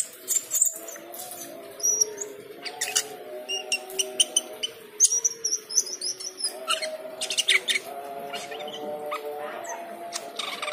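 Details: Cucak keling in busy song while the call to prayer is heard: rapid high chirps, squeaks and whistles in clusters, over long held notes of the chanted prayer call.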